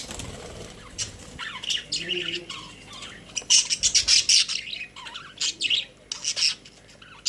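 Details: Pet budgerigars in their cage, chattering continuously: a lively jumble of high squeaky chirps, warbles and harsh notes coming in rapid, uneven bursts.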